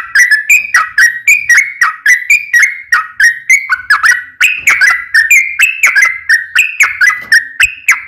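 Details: Yellow-vented bulbul singing its fighting song in long rolling phrases, used as a lure to set other bulbuls singing: steady run of bright, bubbly two-part whistles, roughly three or four each second.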